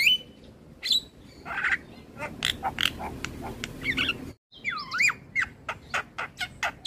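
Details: A Javan myna recording used as a training track to make captive mynas sing gives a loud, varied run of harsh squawks, chattering notes and bright slurred whistles, with a brief cut partway through.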